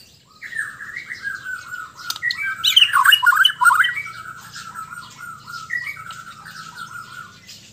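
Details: Relaxed white-rumped shama in Sabah singing long sustained whistled phrases, with a burst of dense, scratchy, tumbling notes in the middle before steady whistles resume.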